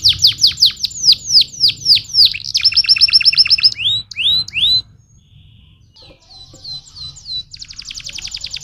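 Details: Stimulating canary song: rapid descending whistled sweeps, a fast rattling roll, a short pause, then thin high notes and a dense, buzzy high trill to the end.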